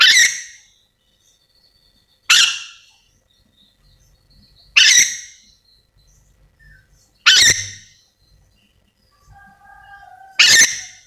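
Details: Yellow-and-green lorikeet from Sulawesi calling repeatedly, with five abrupt, piercing screeches about every two and a half seconds and soft whistled notes faintly audible in the gaps.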